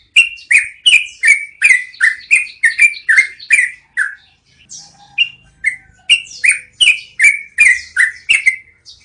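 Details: Yellow-vented bulbul long rolling song used as training audio for cage birds: loud, rapid series of bright downslurred whistled notes, briefly pausing near the middle before resuming at the same quick pace.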